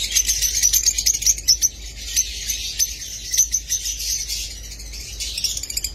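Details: Shrill lovebird chatter of thin, high squeaks and quick chirps, busiest in the first two seconds and then coming in irregular clusters over a soft background hiss.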